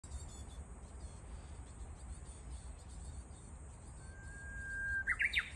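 A Japanese bush warbler gives one long, level whistle, then a quick rising flourish to finish its phrase, over a steady high insect hiss and low rumble.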